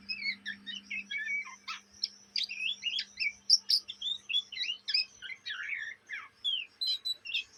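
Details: Juvenile Oriental magpie-robin, caged in Indonesia, giving its chattering song. Busy run of varied chips, scratchy notes and upslurred whistles, roughly one a second but irregular, over a steady low hum.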